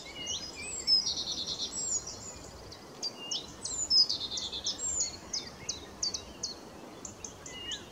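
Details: A Blyth's reed warbler at RSPB Middleton Lakes on 21 June 2021 sings a steady, high run of varied chirps, whistles and short trills, each phrase repeated a few times, over a soft background hiss.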